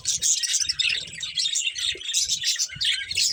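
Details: Budgies eating while chattering: rapid high twitters and scratchy chirps overlap continuously, while short dull knocks sound every half second or so underneath.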